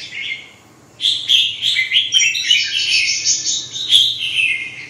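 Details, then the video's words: Red-whiskered bulbul pouring out a long, bright warbling song with rapid rising and falling notes after a short opening phrase and a pause. "Kênh về chim Chào mào"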